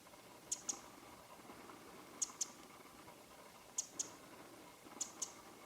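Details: In late January 2013, a Winter wren (Troglodytes troglodytes) calls from a leafless branch one winter morning in Japan: four crisp doubled tick notes, high and dry, spaced about one and a half seconds apart, with soft background noise.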